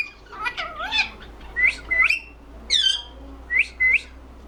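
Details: A pet rose-ringed (ringneck) parakeet talks indoors in quick, high, slurred chattering syllables with rising whistled notes, in short bursts of about half a second over a quiet hum.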